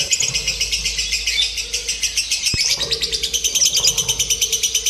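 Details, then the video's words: Lovebird song in a contest simulation for mental training before singing competitions: a continuous, piercing stream of quick buzzy chirps with a steady pulsing beat and a single loud tap midway. "SIMULASI LOMBA TERBARU : TERBUKTI AMPUH MELATIH MENTAL LOVEBIRD"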